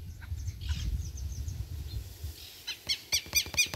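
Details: Rufous-bellied thrush chick recorded 28 November 2022; after about two and a half seconds of low rumbling background, a quick series of harsh, harmonic calls repeats roughly twice a second to the end.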